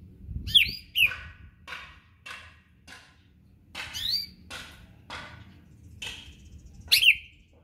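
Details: Greater green leafbird from Berau, being prepared for a singing contest, gives scattered sharp chirps and rising whistled notes, with pauses between bursts and a faint low hum beneath.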